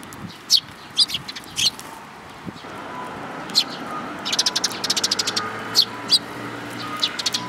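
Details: Parent sparrows and their chicks on 19 May 2018; a few separate high chirps, then fast runs of rapid repeated cheeps, with a low hum and faint distant sounds beneath.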